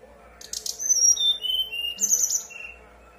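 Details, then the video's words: Brown-chested jungle flycatcher singing steadily in a whistling style, used as a lure to prompt other birds to answer and sing: thin, high whistled notes sliding downward, then a bright burst and a lower closing whistle, in a quiet setting. "Pancingan SRDC bahan biar nyaut dan bunyi, SRDC nyuling gacor"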